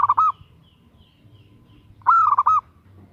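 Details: Female zebra dove actively calling to a male: two brisk, rolling phrases of four or five mellow coo notes, about two seconds apart, over a faint low hum.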